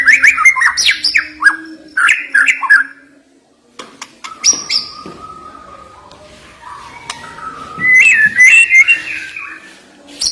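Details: White-rumped shama singing sharp, varied fills meant to excite birds reluctant to sing: dense fast whistled and chattering phrases, a quieter middle passage with a longer note, then a loud burst of warbling whistles.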